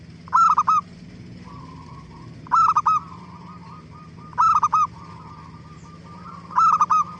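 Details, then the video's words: Zebra dove song meant to provoke other doves into replying: bursts of three or four staccato coos roughly every two seconds, with softer distant cooing between and a low steady hum throughout. "Suara Gacor Burung Perkutut Paling AMPUH pancingan BURUNG PERKUTUT CEPAT BIKIN NYAUT"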